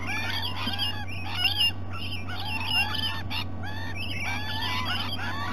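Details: Rainbow lorikeets visiting at breakfast time at Sydney Olympic Park, Australia, 2018; several birds give harsh, buzzy screeches mixed with curved, nasal chattering notes in quick succession over a steady low hum.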